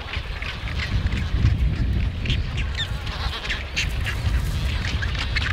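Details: A large Black-browed albatross colony on Steeple Jason Island, Falklands, gives a crowded chorus of braying and honking calls overlapping without pause, over a heavy low roar of wind and surf.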